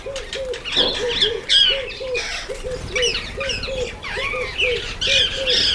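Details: Ten red-faced mousebirds, a sociable small party at a birdbath, give high, slurred whistles over a steady low, paired cooing from a dove repeated about every half second.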